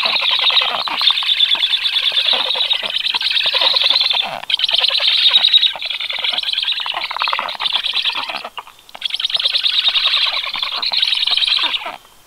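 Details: Black stork chicks begging at the nest during an adult's feeding visit on 21 July at 18:36: sustained loud rasping, chattering calls in long continuous bouts with brief pauses.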